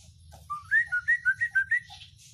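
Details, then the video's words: An Oriental white-eye gives a quick series of about seven clear whistled notes alternating slightly in pitch, part of a song full of sharp 'isian' phrases. "sirtu isian luber banyak pedes"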